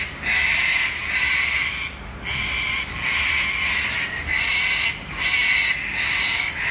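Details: A flock of sulphur-crested cockatoos at Wentworth Falls, Australia, just after sunset on 14 June 2021, gives harsh, grating screeches about a second long with short gaps, several birds calling together.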